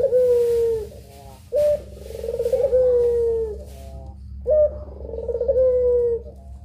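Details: Training master of two puter pelung doves: a clear short note followed by an extended, wavering coo that falls in pitch, the pattern repeating about every three seconds against a steady low drone.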